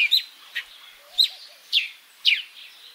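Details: Five sharp, descending chirps from a sparrow in Africa, spaced roughly half a second apart, with a few faint, low twittering notes from another bird behind them.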